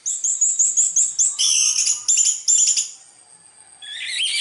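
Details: Orange-headed thrush singing sweetly: a rapid series of about seven short, high, repeated whistled notes, then richer, varied phrases, a brief quiet gap, and a final warbled rising phrase.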